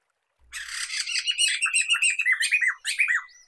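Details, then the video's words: Black-throated laughingthrush used to lure and train songbirds: a loud, harsh, fast chattering phrase of repeated downslurred notes lasting about two and a half seconds, with a short pause before a final burst. "Kicauan Poksay Mantel (Poksay Medan)"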